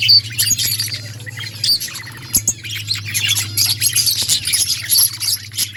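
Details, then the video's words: Dense budgie chatter of quick high chirps and scratchy warbles, with a few sharp clicks and a steady low hum underneath. "Budgies birds sounds parakeet chirping sounds"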